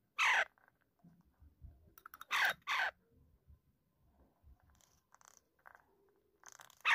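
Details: Pet Alexandrine parakeet, kept indoors, giving loud, harsh, raspy screeches: two bursts close together near the start, a pair mid-clip, and one more at the end. Soft room noises and quiet rustling fill the gaps.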